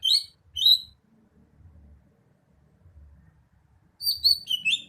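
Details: Greater green leafbird giving two clear rising whistles, a quiet pause, then a fast tumble of high, warbling whistled notes.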